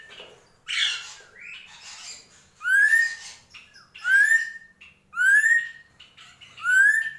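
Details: Drongo, called srigunting krantil, singing gentolang: a raspy burst, then loud upslurred whistles with ringing overtones given about once a second in a steady series.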